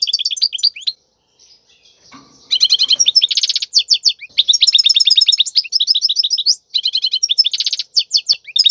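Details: European goldfinch song used to teach young birds: repeated bursts of quick, tinkling twitters and buzzy trills, with a brief pause holding faint knocking sounds before the lively twittering continues.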